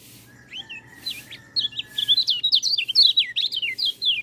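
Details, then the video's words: White-eye song used as a training recording for birds that rarely sing: rapid twittering run of high, wavy whistled notes that starts softly and grows louder, about two per second rising to quicker bursts, with a faint steady low hum. "MASTERAN BURUNG PELECI, cocok untuk burung peleci malas bunyi"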